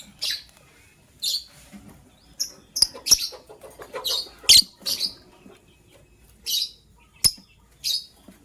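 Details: Lovebirds in the morning, a gray bird ready to lay eggs and a yellow-green one, giving harsh, high, scratchy chirps in short bursts about once a second, with faint rustling and soft ticking between them.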